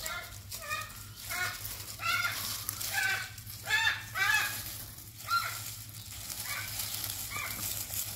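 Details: Two pet hyacinth macaws playing give harsh, honking squawks, about one every second, some rising and some falling, over a steady low hum.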